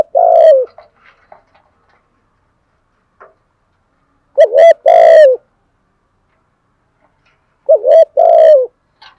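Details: Spotted dove fighting coo, deep 'thổ' voice: three resonant phrases spaced about four seconds apart, each a doubled stutter followed by a sustained falling coo, with a few faint short notes between them.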